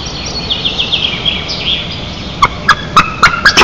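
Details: Eastern imperial eagles at their nest 20 m up in Nizhnyaya Kama National Park, Tatarstan, at 04:27 on 30 April 2023. A nest camera records six harsh, loud barking notes about every quarter second, following thin songbird whistles.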